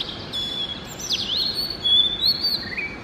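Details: Oriental magpie-robin (Copsychus saularis) singing in the early morning: sweet whistled phrases with slurred, sliding notes and a sharp downward swoop near the middle, over faint background hiss.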